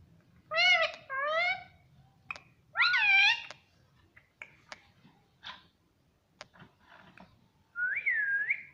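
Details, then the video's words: Pet parrot talking at home, a pair of harmonic, voice-like syllables followed by a longer rising and falling phrase, then clicks and short squeaks before a final bending whistle-like utterance; quiet room. "Talking parrot"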